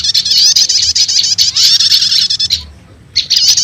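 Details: Wild-prinia lure call blending prenjak lumut and prenjak setater: a continuous high, buzzy twittering trill for about two and a half seconds, a short pause, then the chatter resumes.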